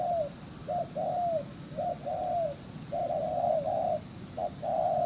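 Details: Spotted dove, a wild-caught bird, delivering fast cooing: short clipped notes paired with longer drawn-out coos, some fading downward, about five phrases packed closely together over a low background hum.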